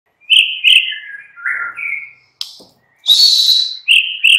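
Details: White-rumped shama (murai batu) afternoon lure song for provoking a captive bird into answering: clear whistled notes gliding from high to lower pitch, then a sharp click and a loud harsh buzzy burst, ending with two short whistles.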